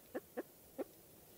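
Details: Spruce grouse from eastern North America, Canada: three short, low, hoarse clucks in just over a second, the first two close together and the third after a slightly longer gap, against a quiet background.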